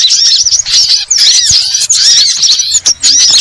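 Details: Sunbird, locally called burung ribut or burcil, giving a dense stream of thin, high, squeaky chirps and twittering notes that overlap almost without pause, suggesting several birds calling together.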